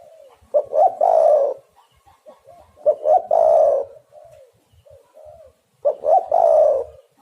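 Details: Spotted dove calling as a lure to trap birds, loud phrases of two short deep notes then a long rolling coo, repeated about every 2.5 seconds, with faint soft coos and light clicks between phrases.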